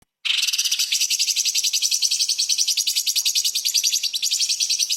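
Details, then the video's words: Light-vented bulbul (cucak cungkok), very vocal, delivering a 'tembakan' burst song filled with small-bird phrases, used as a tutor recording for shamas and magpie-robins; one unbroken high, rapid rattling trill of sharp chirps, several notes per second. "CUCAK CUNGKOK SUPER GACOR ! Full Isian TEMBAKAN ISTIMEWA BURUNG KECIL"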